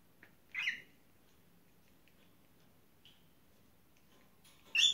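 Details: Three-month-old cinnamon cockatiel, a pet said to be afraid of planes and scared of everything new, gives two loud, harsh, rasping squawks, one early and one at the very end, separated by quiet and a soft brief chirp.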